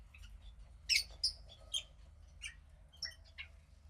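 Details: Cockatiel chick about 15 days old, a female from a pied cockatiel pair, making soft, scattered short chirps and rasps, roughly eight brief notes spaced irregularly over a few seconds, with a quiet low hum.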